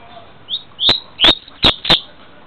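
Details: Double-collared seedeater recorded in Niterói, Rio de Janeiro, Brazil, giving five short, sharp, high notes over about a second and a half, each with a hard clicking edge, against a quiet background; the recording quality is noted as very poor.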